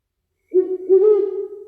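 Great Horned Owl giving deep, soft hoots: a short note, then a longer, slightly wavering one, with nothing else audible.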